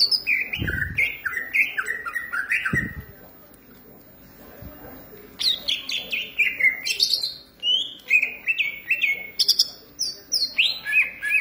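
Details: Cucak ijo, the greater green leafbird, pouring out a varied song of sharp whistles and quick downward-slurred notes. A soft pause falls mid-clip, and a few dull low thumps sound near the start.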